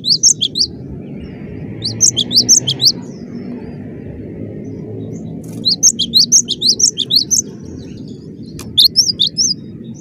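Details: Cinereous tit singing a dense, vigorous 'gacor' song: short clusters of thin, upslurred high-pitched chirps, with longer silent gaps between bursts and a steady low rumble underneath.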